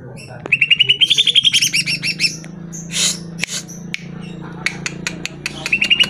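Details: Greater green leafbird song meant to provoke caged birds into answering: rapid chattering trills of high, slightly rising notes, harsh buzzy bursts in the middle, and a quick chirping series again at the end.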